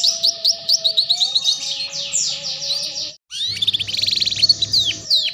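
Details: Young-canary training song of a canary, meant to teach the ngeriwik sound: dense high trilling and rapid repeated whistles, a brief pause near three seconds, then quick chirped runs and downward sweeps.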